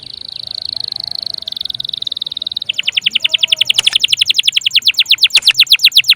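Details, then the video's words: Canary in full, constant song, used as a lure to set other birds singing or as a tutor: a long steady buzzy note, then a fast loud trill of rapid repeated notes. "PANCINGAN KENARI GACOR||bisa juga buat master burung lain"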